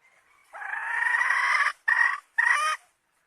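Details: A hen gives a drawn-out harmonic note lasting over a second, then two shorter clipped notes in quick succession, against a quiet background.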